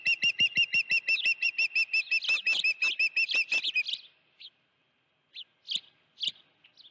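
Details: At the Dunrovin Ranch nest on 16 June 2019, an osprey near a live fish gives a rapid, even train of bright whistled notes for four seconds, then falls to a few scattered chirps.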